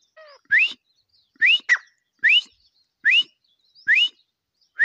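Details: A grey francolin gives loud, ringing rising notes at a steady pace, about one per second, some paired with a quick second note, after a faint low whistle at the start.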